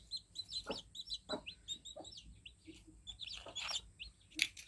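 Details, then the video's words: Young chicks just out of the egg give a steady stream of thin, high cheeps, several birds calling over one another, with soft taps and rustling in the background. "Young Chicks Cheeping| Fluffy Chicks| Baby Chicks Just Hatched Cheep Cheep Sound Effect"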